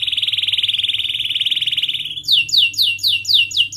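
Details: Canary song used as a lure to teach young canaries to sing, with sharp chirping and rolling: a long, fast, even trill for two seconds, then bright down-slurred notes repeated about four times a second.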